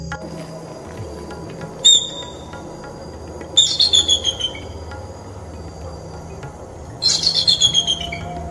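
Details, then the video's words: Bald eagle giving a call described as thin and bark-like: short bursts of high chattering notes near 1.9, 3.6 and 7 seconds, each a rapid stutter of thin, piping yelps over a quiet background with soft music. "Ang tunog naman ng bald eagle, Haliaeetus leucocephalus, ay isang manipis at tila pagtatahol. Ganito."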